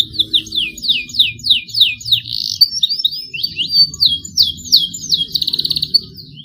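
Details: Canary youngster learning its song, starting long rolls: regular series of downslurred whistled notes, about three per second, running into jumbled chirps and a short rapid trill, over a steady low background hum.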